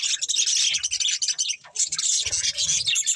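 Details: Budgerigars of a breeding pair and budgie family in steady, rapid high chatter, thin whistled notes woven through scratchy twittering, with a brief dip in the middle before the chirping resumes.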